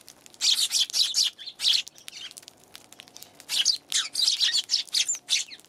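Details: Eurasian tree sparrows on January 11 give bursts of quick, high chirps in small rhythmic clusters, with a quiet stretch in the middle before the lively chirping resumes.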